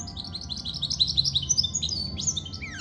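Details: Short burst of goldfinch mule song, a goldfinch and canary hybrid: a fast string of bright chirping notes climbing and falling, ending in a couple of clear downslurred whistles.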